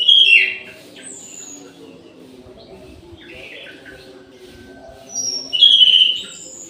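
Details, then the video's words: Midday song of an orange-headed thrush kept in an aviary: a loud twittering phrase opens, quieter high notes follow, then another bright warbled burst near the end, with a steady low hum throughout. "ANIS MERAH GACOR DI SIANG HARI"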